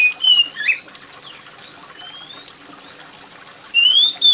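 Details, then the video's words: Oriental magpie-robin giving loud, shrill, clear high whistled phrases, some sliding and rising, in short bursts at the start and end, over a soft steady patter of rain; used to prompt other magpie-robins to sing. "kacer gacor + suara air hujan"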